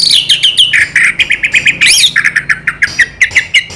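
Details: Orange-headed thrush (anis merah) in a rapid, continuous song: a dense chain of short chirping notes repeated several times a second, with a loud rising-and-falling whistled sweep midway.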